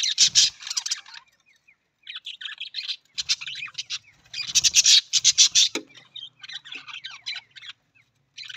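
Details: Budgerigar, the Australian parrot, giving loud, harsh bursts of buzzy, grating chatter mixed with short chirps and clicks, in clusters separated by brief pauses, with quieter twittering between them.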